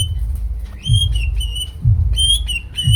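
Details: Greater green leafbird repeating loud, clear whistled notes, each falling slightly at the end, in bursts of two or three. Dull low thumps accompany the song.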